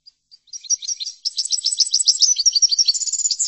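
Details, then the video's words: Goldfinch song for training goldfinches: scattered soft chips lead into a long, fast sequence of sharp, high twittering notes, about two per second at first, then merging into a continuous liquid chatter. "لتحفيض الحسون chordonier"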